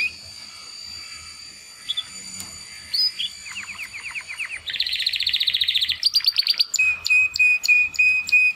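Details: Young male Timbrado canaries, brothers bred in 2020, making first singing attempts after their first molt; faint high notes give way to fast trills, a buzzy rolling passage, then clipped repeated whistles.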